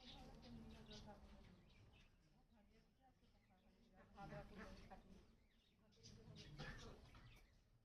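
A rose-ringed parakeet talks in short, speech-like bursts, with two clearer phrases near the end over a quiet room hum.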